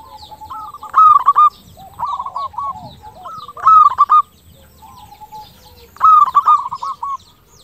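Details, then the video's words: Actively singing local zebra dove with a crystal voice, played as a lure to make other doves respond; repeated phrases of quick, hooked cooing notes, loud bursts alternating with softer phrases every second or two. "PERKUTUT LOKAL GACOR SUARA KRISTAL - Pancingan perkutut bikin cepat nyaut"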